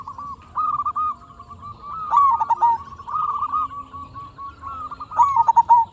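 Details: Local zebra dove in lively song, used as a lure to make other zebra doves answer: stuttering, mellow cooing phrases at one steady pitch, each ending in quick rolling notes, repeating every two to three seconds over a low background hum.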